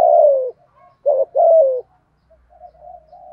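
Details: ['Spotted dove coo meant to rouse other doves into calling. Opens with a long, soft, downward-sliding coo, then a short hoot and a second falling coo, trailing into faint murmuring notes.']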